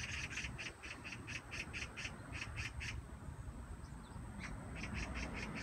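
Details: A magpie on 16 September 2017 gives harsh, rattling chatter: a fast run of about a dozen grating notes, a pause, then a few more, over low rumbling background noise.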